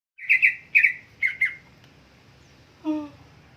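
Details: Greater green leafbird singing vigorously: a run of five bright, buzzy notes near the same pitch in quick pairs, then a pause and a lower, harmonic-rich drawn-out note in a quiet indoor setting.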